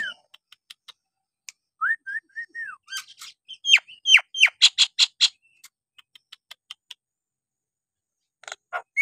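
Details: Nias hill myna whistles a few slurred notes, then a quick cascade of falling whistles and rapid ringing pulses. Scattered soft clicks and a final rising whistle follow.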